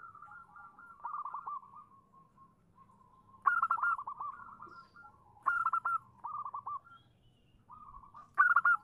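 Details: A female zebra dove calls to attract a male, giving repeated staccato cooing trills. Each phrase opens with a louder, higher burst and ends in softer rolling coos, with faint low background hum.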